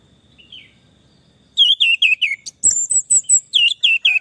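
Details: Orange-headed thrush song used as therapy for stressed, silent birds: a faint opening note, then a series of falling whistled phrases and high, thin, piping notes repeated in quick succession.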